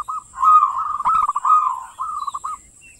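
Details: Local zebra dove song, meant as a lure to draw song from other doves: a soft, continuous warbling coo that rolls and wavers steadily, breaking into a few short beaded notes at the close.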